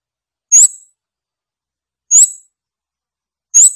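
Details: Scarlet-backed flowerpecker giving single sharp, very high, slightly rising notes, spaced about one and a half seconds apart, three in all, with silence between.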